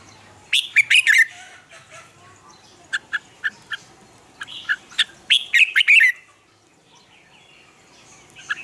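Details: Caged Red-whiskered bulbul singing morning training song used as decoy sound for other birds: a rich warbled phrase, then several short sharp chirps, then a longer bubbling phrase, ending in silence.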